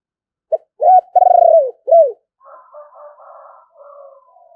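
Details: Decoy spotted dove, said to be handsome and a good singer, giving one calling phrase: a short note, an arched coo, a long throbbing descending note and a final bowed coo, then softer wavering murmurs.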